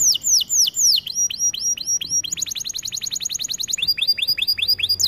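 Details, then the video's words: Canary training song: a run of high, downward-sweeping chirps that gives way to a dense, rapid rattling trill, then a new series of quick descending notes. "Melodies Canary bird song | Training video"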